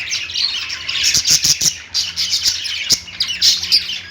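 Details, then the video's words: Singing lovebirds produce bright, piercing chirps and squawks in quick, uneven bursts over a constant background of softer twittering, with a few sharp taps. "Lovebird Singing & Chirping sounds"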